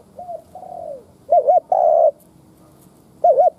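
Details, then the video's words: Spotted dove kept as a lure for wild doves: soft falling coos open, then a loud quavering double note and long low coo, and another double note near the end. "Tiếng cu mồi đất thúc - gù kích bổi - tập mồi cực mạnh / Chim nghe tiếng này tức điên gù gáy cả ngày"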